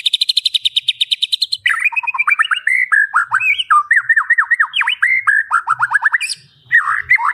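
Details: White-rumped shama in full filler song, used as a tutor recording: a fast run of high ticking notes, then a long string of loud whistled phrases that sweep down and up, with quick trills.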